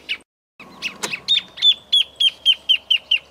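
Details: Misto, the Grassland Yellow-Finch (Sicalis luteola), Esperanza, Santa Fe, Argentina, 2023: after a short gap and a click, evenly spaced high chirps follow at roughly four per second.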